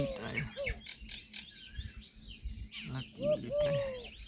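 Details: Indian peafowl giving two drawn-out, arched wailing calls near the end, with a shorter one earlier. Busy chirping from other birds and some rustling noises fill the background.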